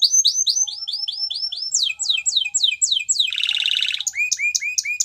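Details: Canary song moving through rapid series of sweeping whistled notes, each tour faster than the last, into a harsh buzzing roll, then bright repeated chirps.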